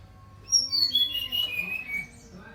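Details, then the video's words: Brown-chested jungle flycatcher singing vigorously, a quick descending cascade of bright whistled notes lasting about a second and a half, with soft lower tones and light hum behind. "Sikatan rimba dada coklat SRDC gacor"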